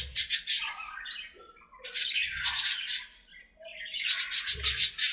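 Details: Budgies at play in an aviary giving three loud clusters of grating squawks and scratchy chatter, with a short whistled note and soft low thumps between them.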